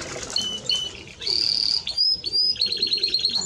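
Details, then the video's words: Timbrado Español canary: short high whistled notes, then a sustained bright trill and a fast run of repeated notes. "Timbrado Español Canario song - Canario Cantado"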